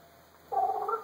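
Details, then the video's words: African grey parrot, male, mimicking alone indoors in front of a phone: a brief, whining, cat-like meow of about half a second. "African Grey Talking And Doing Sound Effects"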